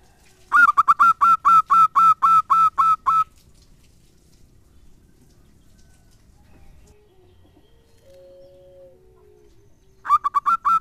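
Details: Zebra dove lure song meant to draw answers from rival and companion doves: a run of about ten loud, evenly spaced cooing notes, a quiet gap with faint low tones, then the notes start again.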